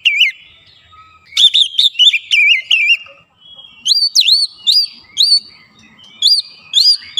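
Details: White-rumped shama singing as a provoking lure for other birds: wavering whistles, then a series of clear upward-curving whistled notes repeated at steady intervals, each sharp and ringing.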